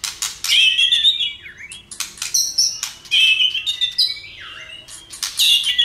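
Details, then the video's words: Fired-up white-rumped shama, flicking its tail, alternates strong sweet whistled phrases with dipping slurs and harsh clicking bursts, in repeated loud bouts every second or so. "Chòe Lửa Tạch Kích Chòe lửa hót"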